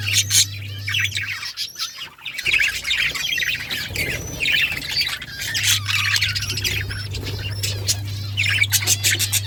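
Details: Breeding budgerigars in captivity: dense overlapping high chirps and squawks from many birds, busy and continuous, with a low steady hum underneath.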